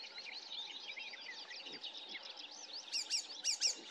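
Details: Icterine warbler song recorded at Løten, 2024: continuous chattering jumble of squeaky, buzzy and whistled notes, growing louder with sharp high clicks toward the end.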